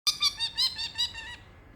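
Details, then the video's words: Pet parrotlet, bored on a warm Friday afternoon and making funny noises to entertain itself indoors: a burst of about seven rapid harsh squeaky notes with buzzy overtones, fading out. "Oliver the parrotlet feeling bored, making funny noises, calling mommy and giving kisses"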